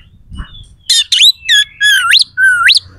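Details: Provocation song of an oriental magpie-robin, full of coarse, sharp fill notes to anger opposing birds. A few harsh buzzes lead into looping whistles that dip and then sweep steeply upward, roughly three per second.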